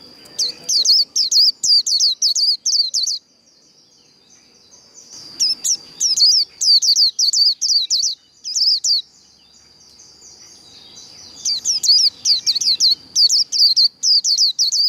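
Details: Japanese white-eye in líu đấu song, three bursts of rapid, high, downward-sweeping chirped notes separated by short pauses, about five notes a second within each burst, over a thin continuous high whine.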